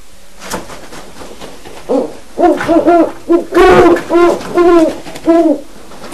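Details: Two seven-month-old Great Horned Owl owlets in a breeding study hooting and chasing each other after a wild owl visited; a series of about eight low hoots, roughly one per second, with some rustling noise.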